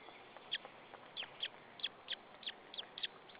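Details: White-tailed eagle chick at a nest in Saunja, Estonia, 26 April 2013, 14:37, begging before being fed: thin high chirps repeated about every third of a second, steady faint background hiss.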